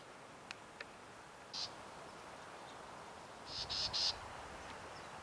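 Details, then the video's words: Black-tailed Gnatcatcher at Sweetwater Wetlands, Tucson, Arizona, giving one harsh, buzzy note, then a quick run of three high, rasping scolds over faint background hiss and two soft clicks. "Black-tailed Gnatcatcher"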